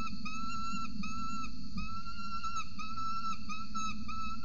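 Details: At a camera-monitored nest in Orange, Australia, an adult peregrine falcon feeds its chick on a November morning in 2020. Even, plaintive tonal notes are repeated rapidly in a near-continuous chain above a constant low rumble.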